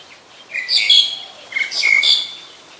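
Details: Harsh, grating squawks of a Black-collared Starling in Ubon Ratchathani, Thailand, 10 November 2021; two loud raspy bursts roughly a second apart, with a quiet background.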